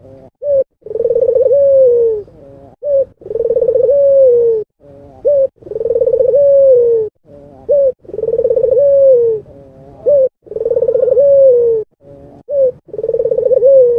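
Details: Albino Barbary dove, white with red eyes, cooing rhythmically. Each phrase has a short clipped note, a trilling roll and a long falling hum, repeated about every two and a half seconds, six times.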